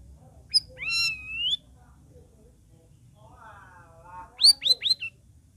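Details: Straw-headed bulbul song used to prompt silent cage birds to sing: a rising whistled slur, a soft lower warbling phrase, then three quick, loud, downward-sweeping whistles in a row.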